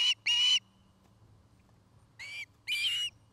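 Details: Osprey at a camera-watched nest in Charlo, Montana, home to a nest-building pair, afternoon of 09-05-2018; two short whistled notes, a pause, then two more squealing notes, with quiet between.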